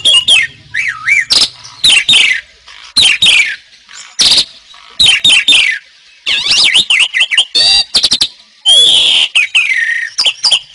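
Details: Asian pied starling delivering a loud, continuous 'gacor' song, mixing wavering whistles, harsh rasping squawks and staccato clicks in rapid alternation, with a long buzzy descending note near the end.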